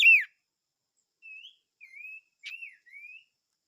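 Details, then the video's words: Chim ngũ sắc: one loud, down-slurred whistle followed by four softer, drawn-out gliding whistles, evenly spaced. "Chim Ngũ Sắc Hót - tiếng chim ngũ sắc hót"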